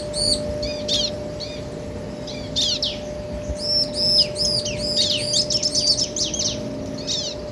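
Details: Male and female bar-winged prinia answering each other: bursts of high, thin, arched chirps in quick clusters with short gaps, growing denser toward the end over a steady low hum.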